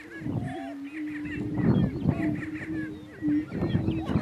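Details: Dominance fight between male greater prairie chickens on a lek, northeast Kansas; a steady low droning moan carries through repeated hoarse cackles and short whistled whoops, the chorus loudest in the second half.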